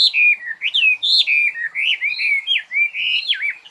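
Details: Short burst of clear, fluty bird song, a string of slurred whistles dipping and rising in quick succession, each phrase running smoothly into the next.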